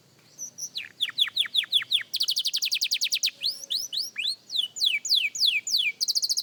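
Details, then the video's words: Practice song of a young canary: rows of high, sliding whistles alternate with rapid machine-like trills and rising then falling sweeps, repeated several times per second. "Young Canary Singing Practice"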